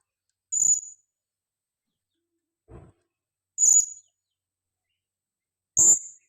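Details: Female blue-crowned hanging parrot used as a lure bird, calling actively: three sharp, very high, short chirps spaced irregularly over six seconds, with a fainter low rustle between them. No other sounds.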